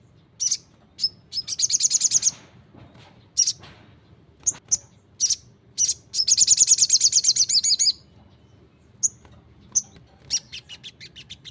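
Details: Ruby-cheeked sunbird (sogon) in full song: scattered sharp high chips alternating with two extended rapid pulsed trills, and a softer fading run of pulses at the end.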